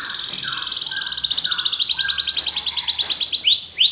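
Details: Belgian canary sings a rapid high trill that gradually loosens into slower pulses and ends in sharp descending sweeps, with softer lower whistled notes from another bird beneath.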